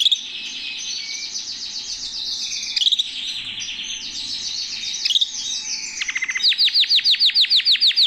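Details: Canary singing while perched in a person's hand: a fast, varied stream of high warbled trills and rolls, ending in a loud series of rapid, evenly repeated sweeping notes.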